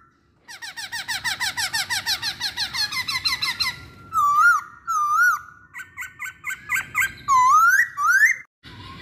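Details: Masked laughingthrush used as a lure to make others sing: a long fast run of repeated descending notes, then wavering loud whistles and chattering phrases.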